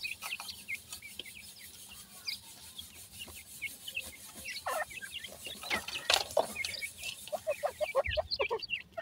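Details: Chirping grey francolin chicks during feeding, an irregular chorus of brief, high, hooked notes with rubbing and scraping sounds underneath.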